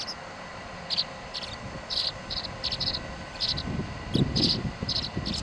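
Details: Recorded 26 July 2011, tree swallow chicks compete for the feeding position at their nest box, one sitting above the door; grouped high twittering chirps come in spurts, with a brief low thump near the end.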